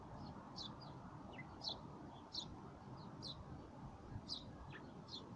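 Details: Urban sparrows in Moscow chirp repeatedly, with sharp, high tweets about every half second to second, some paired with softer notes, against a constant low hum of city traffic.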